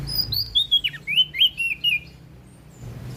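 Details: Loud, sweet-voiced prinia song from West Nusa Tenggara, Indonesia: a quick chain of about eight high, clear whistled notes, several sliding downward, delivered in under two seconds over faint low hum.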